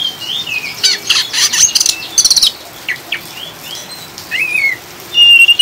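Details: Oriental magpie-robin ngriwik chatter over rain, meant to calm caged birds: harsh rattling bursts in the first half, then scattered short whistled slurs and a final strong phrase.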